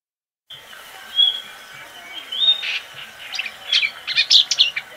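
Marsh Warbler singing a fast, varied run of whistles, sharp chirps and buzzy notes, mostly high-pitched, building in intensity over a few seconds.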